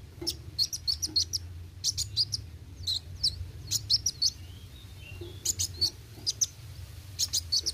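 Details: Sunbird called kolibri wuling in gacor roll tembak song, piercing high chirps in uneven pairs and triplets with soft downslurred whistles, steady low background hum throughout.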